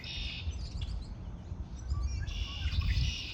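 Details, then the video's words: Spring birdsong: a short burst of bright twittering opens the clip, a pause follows, then a second longer trilling phrase returns near the end, all above a loud, constant low rumble. "آوای آرامش بخش پرندگان در بهار(Relaxing with the sound of birds)"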